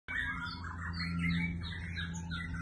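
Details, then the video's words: A bird sings a quick run of high, twittering chirps and warbled notes, heard over a steady low hum. "Singing bird"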